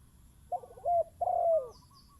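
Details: Decoy spotted dove facing a wild bird: a short burry note, then a clear level coo and a long, slurred coo that slides downward, ending in faint chirps.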